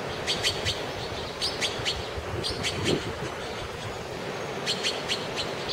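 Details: Taiwan blue magpie (Urocissa caerulea) beside Sandiaoling station, Taiwan, 26 February 2011 at 16:56, giving clusters of two or three short, harsh, high notes in bursts about every second, over a steady low background rumble.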